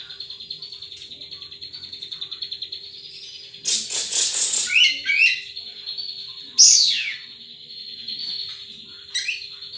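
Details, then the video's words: Wild sunbird giving a long thin high trill held near one pitch, broken by a loud burst of rapid chatter midway, then a sharp descending note and a return to the steady trill; a faint low hum runs throughout. "Suara Burung Madu liar"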